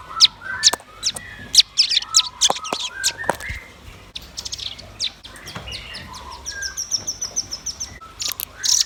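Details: Red-billed nuthatch and white-rumped shama in lively song: clusters of piercing high chips alternate with fluty mid-pitched whistles, followed by a thin, high, rapid trill near the end.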